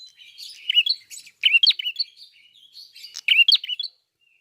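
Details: Red-fronted prinia in vigorous song: three bursts of high, sharp twittering chirps and buzzy notes, each lasting under a second, separated by short pauses.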